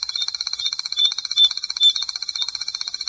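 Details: High, dry trill from a Striped Crake, a shy bird of marsh and seasonally flooded grassland; quick, regular ticking pulses run throughout, a few louder ones standing out.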